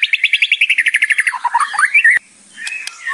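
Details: White-rumped shama song used for training, with a rattling kretekan and shot-like tembakan. The song opens with a fast, even series of repeated chattering notes, then twisting whistled phrases, a sharp click and brief soft notes.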